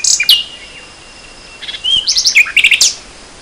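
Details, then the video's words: Spring 2014 nightingale: a loud high opening note, a quiet gap, then a quick run of varied sharp chirps and buzzy notes ending in a bright flourish. "Le chant du rossignol"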